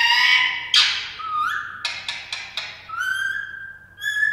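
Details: Female ring-necked parakeet giving a harsh, rasping call, then a run of quick clicks and rising whistled notes, and finishing with a clear, sustained whistle.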